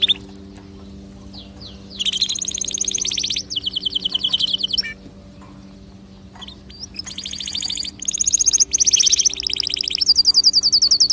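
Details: Canary song for stimulating other birds to sing: long bursts of very fast high trills separated by quiet pauses, each burst rolling and slightly buzzy, with a faint steady hum underneath.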